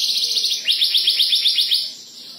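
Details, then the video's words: Domestic canary singing a high trill that breaks into a row of about ten quick rising chip notes, each a sharp upward sweep, fading to quiet at the end. "金丝雀 घरेलू कनारी bird canary burung kenari mantul"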